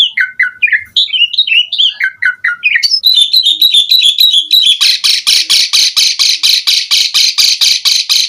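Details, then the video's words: Asian pied starling singing energetically with many varied phrases: falling whistled notes, a fast twittering run, then a long series of harsh, buzzy rasping notes repeated about three times a second. "JALAK SUREN GACOR FULL ISIAN"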